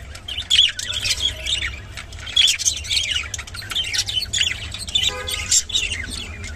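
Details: Rainbow budgerigar chattering in bursts of scratchy, warbled chirps and brief squawks, with short pauses between phrases, over a steady low hum.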